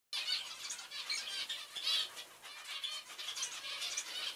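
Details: Zebra finches in flight chatter in a dense chorus of nasal, buzzy, high calls that overlap without pause.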